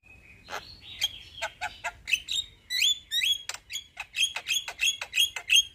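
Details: Javan myna (jalak kebo) in energetic 'gacor ngeroll' rolling song: a flat whistled opening, then a fast run of harsh, chattering notes with buzzy overtones, about four per second, growing louder toward the end.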